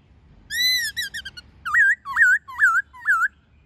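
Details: White-cheeked laughingthrush singing many-voiced wild song with a female calling, meant to stimulate caged birds: a long level whistle and quick short notes, then four loud looping whistled phrases repeated about every half second.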